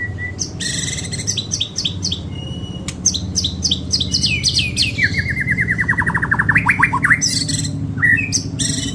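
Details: Caged white-rumped shama (murai) with a rich song tutored with cililin, cucak jenggot and tembakan phrases: varied sharp whistles and rapid chattering notes, including a fast descending rattle-like series, over a steady low hum and a man speaking.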